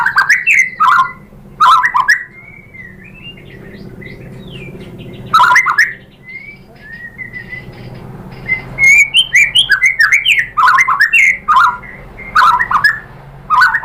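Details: White-rumped shama lure song, used to make shamas reply: harsh chattering bursts, soft scattered whistles, then a lively stretch of rapid varied whistled and chattering notes.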